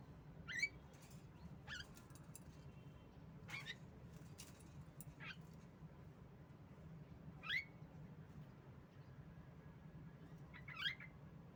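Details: Female Javan myna calling as a singing lure. Harsh, clipped notes sweep upward, some doubled, scattered across about eleven seconds. A low steady hum and faint chirping fill the background.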